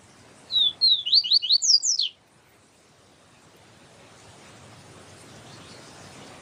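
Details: Papa-capim siu siu, the yellow-bellied seedeater, in a teacher recording with a female calling to stimulate the male. About eight rapid, slurred high whistles form one phrase, then quiet background hiss.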